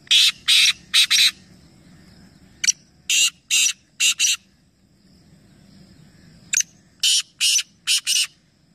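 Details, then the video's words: Three black francolins call at once during a calling competition in Nawabshah, Pakistan. Harsh, scratchy notes come in clustered phrases of three to four, repeated several times with short gaps, all loud and grating against a quiet low background hum. "Teen Teeter Ek Sath Awaz Competition | Black Francolin"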